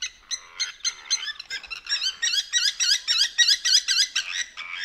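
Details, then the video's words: Blacksmith lapwing calling at night beside a dam in Manyeleti Game Reserve, South Africa. Loud, squeaky, wavering notes follow one another about four times a second, rising in urgency. No other clear sounds. "Blacksmith Lapwing Call & Sounds"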